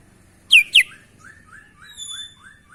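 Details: Sooty-headed bulbul making unusual sounds: two loud sharp falling chirps, followed by a soft string of short downslurred notes repeated about every third of a second, with a faint thin whistle above.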